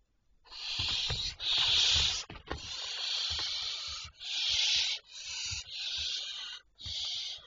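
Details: Barn owls recorded on 25 May 2023 at 01:51 at night, giving long, harsh, breathy hisses that overlap almost continuously, several birds seeming to call in turn, with soft low thumps and rustles underneath.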